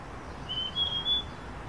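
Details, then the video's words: At dawn in untouched forest, a wild niltava gives a single sustained high whistle, faintly rising and pulsing three times in strength over roughly one second, against a quiet, even background. "Wild Niltava Serenade: Nature's Morning Symphony"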